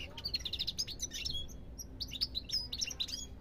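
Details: European goldfinch song: rapid, liquid twittering of short high notes and trills in dense bursts, a brief pause near the middle, then more tumbling chatter over a low background hum.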